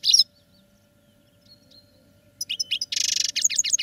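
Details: Caged European goldfinches singing during song training: a brief high twitter opens, then a long silent gap, then rapid liquid chirps and a dense buzzy trill close the clip.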